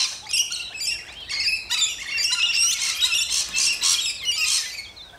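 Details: Rainbow lorikeets in Australia giving a dense, continuous chorus of shrill, raspy squawks and chatter, several birds overlapping with no gaps.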